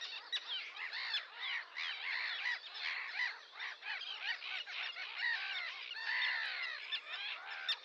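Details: Sandwich terns calling in a dense group: many harsh, grating, overlapping rasping calls and squawks run without a break, forming a continuous noisy chorus.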